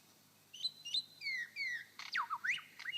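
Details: Male superb lyrebird on his dancing mound in Sherbrooke Forest Park, Victoria, imitates a young magpie with high, squeaky whistles that slur downward, then a quick run of sharp falling notes over faint background hiss.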